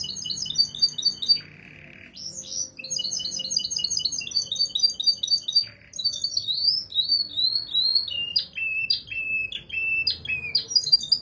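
A canary sings a rapid, varied song of high trills, chips and rolling phrases.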